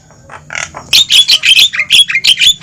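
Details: Javan myna noisy lure call for attracting wild mynas into a trap: a few soft rasps, then loud harsh squawks and short whistled notes in quick succession.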